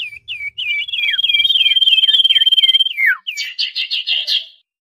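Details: Common iora lure calls for trapping wild birds: a long, high, rapidly trilled whistle held at one pitch, laced with downward-hooked chirps, then a burst of harsh, buzzy chatter. The calls are noisy and crowded, with overlapping voices.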